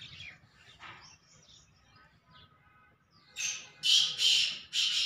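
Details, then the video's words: Male black francolin calling: after quiet scattered sounds, a series of loud, harsh, grating bursts is delivered in quick succession. "black teetar awaz-teetar call sound black teetar boli male teetar awaaz"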